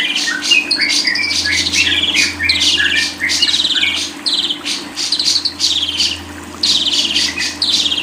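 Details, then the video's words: Lovebird song used for jamming: repeated bursts of rasping, buzzy chatter and squeaky chirps, short gaps between phrases, constant low hum beneath. "100% jamin paling ampuh // paling di cari para kicau mania"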